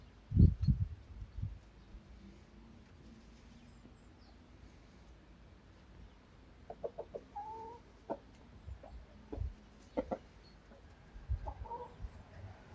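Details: Chickens on a farm going about daily life: low thumps and scuffles early on, then short, nasal clucks and tonal squawks in uneven clusters through the second half, with quiet background hiss.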